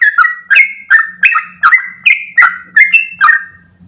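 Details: Sooty-headed bulbul singing a long, rapid 'ropel' song in the gacor style: loud bubbly whistled phrases, each dropping in pitch with a sharp click at the start, repeated about every half second, eight phrases in a row, with faint chirps behind.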